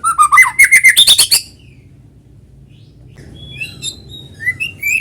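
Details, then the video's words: White-rumped shama in lively song, used to coax other shamas into singing: a fast series of about ten sharp repeated whistled notes, rising in pitch, then a pause and soft scattered whistles. "PANCINGAN BURUNG MURAI GACOR SUARA ALAMI BIKIN MURAI BATU IKUT BUNYI"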